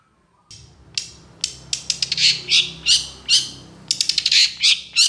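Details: Long-tailed shrike singing with energetic, long phrases: after a brief quiet start, a fast stream of sharp clicks and harsh, scratchy high bursts, accelerating into rapid stuttered notes near the end.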